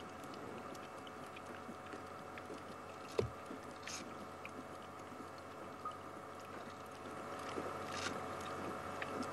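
Steady electronic hum with faint tonal lines, broken by a few scattered clicks and knocks, on a live outdoor safari broadcast at sunset.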